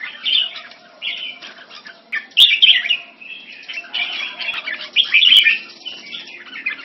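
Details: Caged red-whiskered bulbul, Singapore-raised, in French molt, singing in competition against another bulbul and other birds; dense overlapping bright warbled and chattering phrases, with loud bursts near the second and fifth seconds and several birds calling at once.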